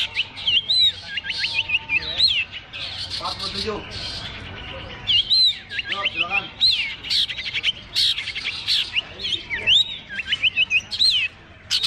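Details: Long-tailed shrike at a bird singing contest on the hanging perch, mixing quick whistled up-slurred notes with sharp chattering bursts in lively repeated phrases; other birds chatter faintly.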